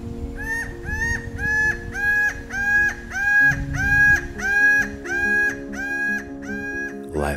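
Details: A laughing falcon (acauã) of Brazil's Atlantic Forest gives loud, nasal, rising hollow notes, about eleven in seven seconds at a steady pace, over sustained background music.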